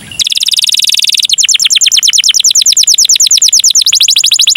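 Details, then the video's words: Canary song in the cengkok mewah style, used to prompt other canaries: a high, fast buzzy trill gives way to a steady run of rapid, repeated swooping whistles, roughly three per second, then a quicker rolling phrase. "SUARA BURUNG KENARI CENGKOK MEWAH DURASI PANJANG||COCOK PANCINGAN KENARI"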